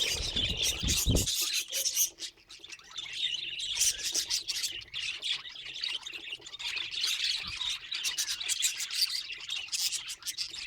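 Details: Pet budgerigars chatter in a busy, scratchy warble of overlapping high chirps and squawks, with a brief low thump at the start.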